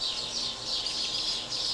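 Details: House sparrows fuss in a dense, continuous chatter of high, scratchy chirps swelling and fading every half second, at a spring backyard feeder in Kansas City, Missouri, on May 15.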